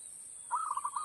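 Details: Trapping lure call of a zebra dove, played on an MP3 device: a single short phrase of quick stuttering coos following quiet hiss, with a constant high-pitched tone behind.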